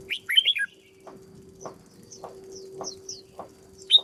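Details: Red-whiskered bulbul kept in a cage and trained as a lure bird gives a quick chirpy, warbling phrase at the start. A few faint high chips follow over regular soft taps and a constant low hum.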